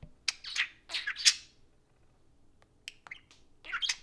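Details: Two pet budgerigars at play time around an iPhone. A loud burst of harsh, squawky chirps comes first, then a quiet gap, then scattered clicks and a final rising scratchy chatter.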